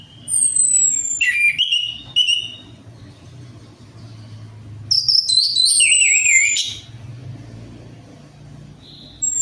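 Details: Orange-headed thrush lure song meant to prompt a slow-singing bird: clear whistled phrases, some wavering and warbled, in short bursts with pauses, faint low traffic hum underneath.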